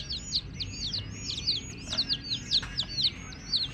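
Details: Several young chickens chirping, shrill falling peeps tumbling over one another in a rapid, irregular stream with a soft background hiss.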